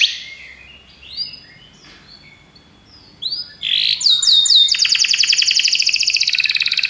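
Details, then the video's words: Belgian canary song: soft rising whistles and a short buzzy note, then a loud fast trill of rapid repeated notes high in pitch, bright and ringing. "Os canários belgas cantam espetacularmente"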